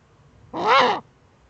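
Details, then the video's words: A female Eurasian eagle-owl scratching in her breeding niche, recorded by an in-nest camera in northern Rhineland-Palatinate, Germany, on 5 May 2013; one raspy, breathy call of about half a second, arching in pitch, in an otherwise quiet nest. "Uhu-Weibchen scharrt in Brutnische"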